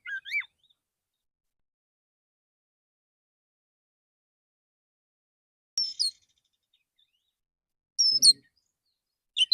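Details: Male white-rumped shama singing in the morning, calling other shamas: a short rising whistle, then long silence before brief sharp chirp bursts near the end.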